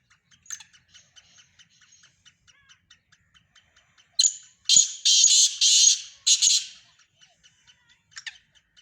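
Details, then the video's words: Sindhi black francolin calling: after faint, regular ticking in the background, a loud grating phrase of four or five rasping bursts, about two and a half seconds long, then soft ticks again. "مکس کالے تیتروں کی مکس آوازیں سندھی تیتر"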